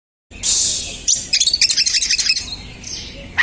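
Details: Stressed, emotional oriental magpie-robin (kacer) singing as a lure for other birds: harsh, hissing bursts open, then a fast run of sharp, chattering notes and a brief high whistle at the end.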